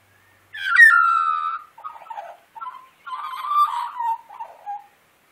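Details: Australian magpie in the wild, made to sing before breakfast, gives a loud, descending fluted opening note, short gurgled fragments, then a rolling warble ending in a soft level whistle.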